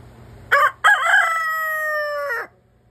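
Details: Hen calling while laying an egg: a short harsh note, a brief break, then one long drawn-out nasal call held steady for about a second and a half before dropping away, with a quiet background.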